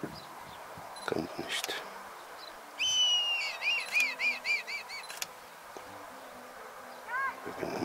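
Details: Female Red Kite in spring, about 32 m away, calls persistently for an absent male after bringing a branch to lure him. She gives a thin drawn-out whistle, then wavering, quavering notes, and a man murmurs nearby.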